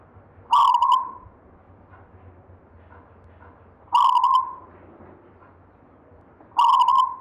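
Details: Zebra dove, a local gayer-style bird inherited from a grandfather, repeating three loud cooing phrases about three seconds apart, each a brief buzzy burst melting into a ringing coo, with faint soft notes and hum between.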